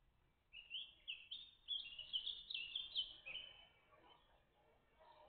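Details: Great tit family at the nest, live on 14 June 2023: a run of high, slightly buzzy chirps packed closely together for about three seconds, then fading to faint background.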